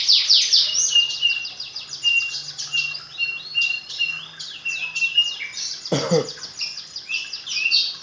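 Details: Magpie-robin reared from fledgling age pours out fluent fill-in song (isian), dense repeated high chirps and steady whistled notes, with one sharp click around six seconds in.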